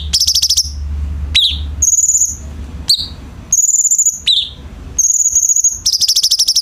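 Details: Tutor song of a cucak cungkok bulbul for training captive birds: fast, high, buzzy trills alternating with short downward-swept chirps, over a faint low rumble.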